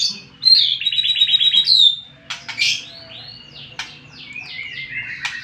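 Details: White-rumped shama singing as a lure to rile up rival birds: a buzzy rattling trill with a rising whistle, then a pause and a varied run of sharp downward-sweeping whistles and chirps over a soft low hum.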